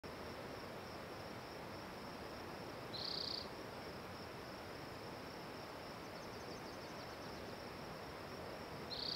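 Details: Spotted towhee singing: a short, high buzzy trill at about three seconds and another beginning at the very end, about six seconds apart, over a constant loud hiss of background noise.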